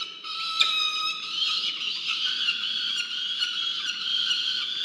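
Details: Peregrine falcon on a research nest webcam in Orange, New South Wales, Australia, on 15 November 2022 during a food delivery by the male, giving a long unbroken, reedy wail with rich overtones lasting the whole stretch.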